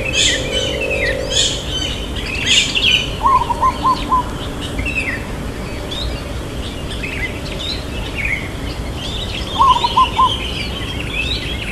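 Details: Two short rolling coo phrases from a local zebra dove, its long "kuk" in the 'irama lelah' rhythm, spaced about six seconds apart beneath constant high-pitched chirps and twitters from other birds.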